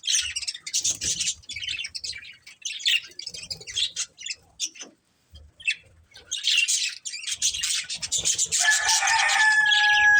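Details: Pet budgerigars in a family group chatter with rapid, scratchy, warbling chirps in bursts, a short pause midway, then denser twittering with a few drawn-out whistled tones near the end.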